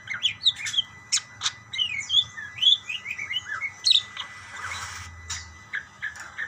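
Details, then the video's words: Budgerigars calling to each other in a lively stream of short, bright chirps and curved whistled notes, many per second, with a brief scratchy burst near the end. "burung parkit bersautan"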